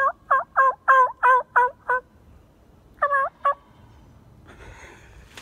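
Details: Wild tom turkey on public land gobbling hard while approaching a person, answering without any call; a rapid gobble of about eight gulping notes, a pause, then a shorter gobble of three notes, followed by faint rustling.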